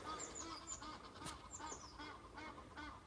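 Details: Great Cormorants at Castle Water, Rye Harbour, give loud, harsh honking calls several times a second, many birds calling over one another. Recorded during coot nesting time, with a crow also heard.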